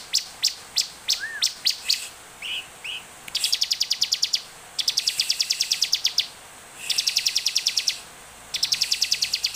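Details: Lively olive-backed tailorbird song meant to coax other tailorbirds into singing: quick high chip notes, a couple of soft rising slurs, then long rapid trills of dry clicking notes in repeated bursts, with faint background hiss.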